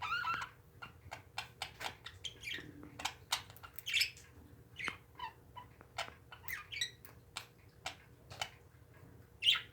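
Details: Pet parakeets chatter in quick, scratchy chirps and squawks, many short bursts a second, over a low steady hum.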